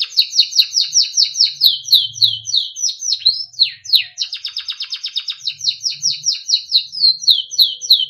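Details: Timbrado canary, small yellow bird, singing a melodic song used for training: long chains of fast repeated downward-slurred notes, a dense rolling trill in the middle, and continuing rhythmic chips, with faint low thuds.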